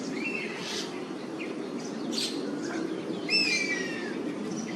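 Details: Oriental honey buzzard in Singapore, perched and calling repeatedly at a hornbill flock that has invaded its roost. A faint falling whistle at the start, then one clear high, drawn-out descending whistle with overtones near the end, over soft background noise.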